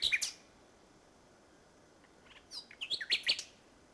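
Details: Nightingale song in Norfolk at Salthouse, May 2011, late in the day: opening high notes, a long silence, then a scattered run of sharp, high chirps and short whistles.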